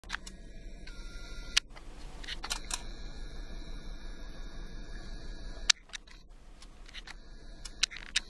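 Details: Camera shutter clicks and a steady electronic hum, with no animal voice heard.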